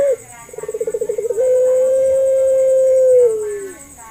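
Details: Puter pelung dove, a local Indonesian bird, played as a lure to get quiet doves calling. A brief note precedes a pulsing stammer that settles into one long even coo, which slips downward at the end.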